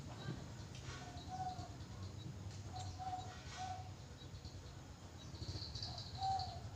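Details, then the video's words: Zebra dove singing, heard as soft, low, hollow coo notes spaced every second or two, quiet against a rumbling background with a faint higher bird chirp late on. "burung terkuku manggung"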